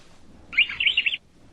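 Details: Male Belgian canary (Serinus canaria domestica), a domestic bird, sings a brief, bright warbling trill of rapid high notes lasting under a second, with faint background hiss.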